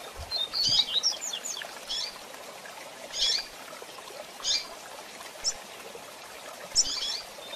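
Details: Female double-collared seedeater call for exciting the male: an opening flurry of high twitters, then single sharp chips spaced about a second apart over constant hiss.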